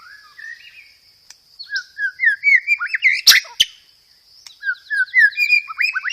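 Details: Strong, clear white-rumped shama song for testing or provoking other shamas, with fighting-sparrow mimicry and 'roll tembak' rolls; slurred whistles build into quick rising notes, broken by a sharp crackling burst, then another run of upswept whistles.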